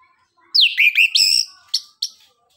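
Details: Orange-headed thrush song played to prompt other birds to answer: a sweeping downslurred whistle into a tumbling run of bright, twisting high notes, ending with two short sharp chips.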